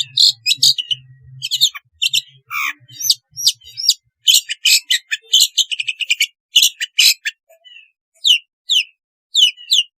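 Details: Long-tailed shrike song, played to coax quiet shrikes into singing. Harsh, scratchy, high chirps and buzzy notes come in quick irregular bursts, with a low hum early on.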